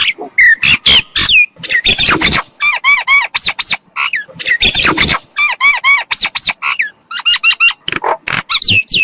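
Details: Myna chattering continuously, mixing harsh rasping bursts with squeaky, wavering whistles and clicking notes in dense, irregular sequences.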